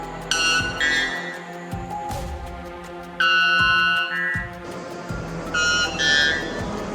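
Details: White Bellbird (Procnias albus) courtship song to impress a mate, said to be the loudest bird on Earth at 125 dB: three loud, ringing, metallic calls, each a harsh high blast dropping to a lower note, over steady background music.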